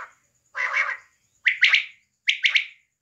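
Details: A female quail in Pakistan gives one drawn-out, rasping note, then two quick bursts of three sharp, bright notes about a second apart, over a faint thin hiss.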